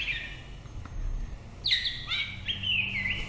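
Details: White-rumped shama song: a short whistle, a pause, then a bright rising note that leads into fluty, wavering whistled phrases, over a low hum of background noise.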